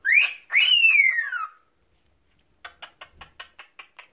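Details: A pet male cockatiel, about four years old, that free-flies indoors, sings two clear whistled phrases, rising then sliding down, followed by a run of short chirps.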